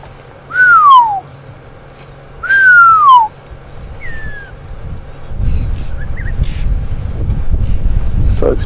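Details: A Pearl-spotted Owlet at Djuma Game Reserve on a golden afternoon, July 12, 2015, gives two loud, clear downward-sliding whistles about two seconds apart, then a fainter third note; other birds chatter, likely mobbing the owl.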